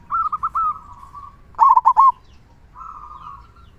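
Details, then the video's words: Local zebra dove in full song, big 'kung' voice: a loud burst of three or four stuttering, bubbling coos, framed by softer, level cooing phrases from another bird. "Perkutut Lokal Gacor Suara Kung Besar"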